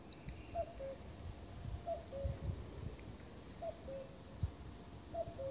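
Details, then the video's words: Common cuckoo in Konjiška Gora, Slovenia, giving its two-note falling "cu-coo" (the male's call) four times, about every one and a half seconds, over low rumbling background noise. "Oglašanje ptice - Kukavica - Cuckoo bird sings"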